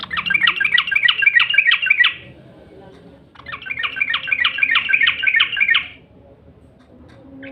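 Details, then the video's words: Lure call of the yellow-vented bulbul, played to get other bulbuls singing: two rapid, bubbly chattering bursts, each about two seconds of quickly repeated warbled notes, separated by a second of quiet with a faint room hum. "SUARA PANCINGAN TRUCUK"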